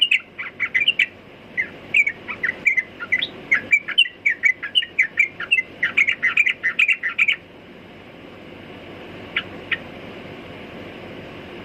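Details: Sooty-headed bulbul singing: a long run of short, bright chirped notes in quick succession for about seven seconds, then quiet with two brief sharp notes near the end.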